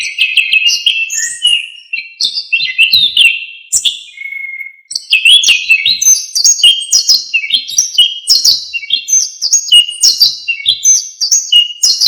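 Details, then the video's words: Rich, non-stop song of an Orange-headed thrush in gacor full-isian style, a master recording for teaching songbirds: dense rapid chains of varied high whistles, chirps and slurs, briefly pausing midway. "KICAUAN ANIS KEMBANG GACOR FULL ISIAN"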